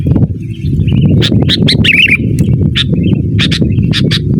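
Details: Sooty-headed bulbul calling rivals, used to lure wild birds and as a master recording for training cage birds: sharp high chirps, often paired, with a short warbled twitter mid-clip, over a steady loud low rumble.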